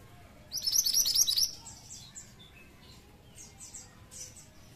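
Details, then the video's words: A pied triller, played to lure flocks of its kind, opens with a loud, fast volley of shrill high notes, followed by softer downslurred whistles and chirps from other birds. "Burung Mantenan Gacor Ampuh pancing mantenan ombyokan"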